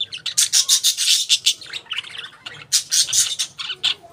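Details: Parakeets, or budgies, give a rapid run of loud, piercing chirps, a brief quieter gap, then another burst of quick scratchy tweets.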